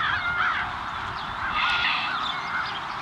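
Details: American crows in a flying flock at Montrose Point, Chicago, fall 2022, giving a tangle of overlapping nasal caws that swell and fade in uneven bursts above constant low hiss.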